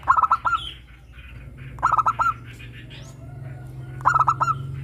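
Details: Local zebra dove singing strongly in a 'crystal' voice, used as a lure to get captive doves singing: three phrases of fast pulsed coos ending in rolling notes, repeated about every two seconds, over a low steady hum.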